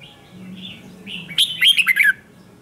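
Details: Red-whiskered bulbul giving morning song for song training: a soft warble, then a loud, bright phrase of five quick chirped notes stepping downward, with a faint low hum underneath.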